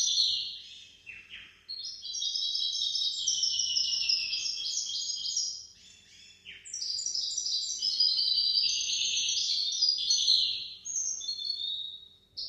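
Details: Goldfinch-canary hybrid male delivering sustained high warbling song, with fast trills and rolling notes in long unbroken phrases and a short break midway, recorded as tutor song for goldfinches and canaries.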